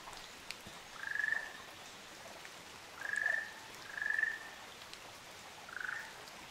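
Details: A pair of Ruddy Kingfishers on Amami Oshima: four trilled, rolling notes about half a second long, level around mid pitch, spaced one to two seconds apart, the last slightly lower; faint dripping in the background.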